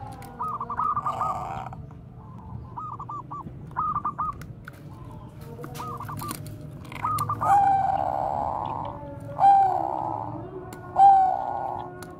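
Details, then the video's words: Bangkok zebra dove cooing in the bekur koar-koar style, used as a lure to get other doves singing. Quick staccato bursts of clipped mid-pitched notes, then longer buzzy sustained coos from other doves, with low background rumble. "perkutut BANGKOK BEKUR KOAR-KOAR bagus untuk PANCINGAN PERKUTUT"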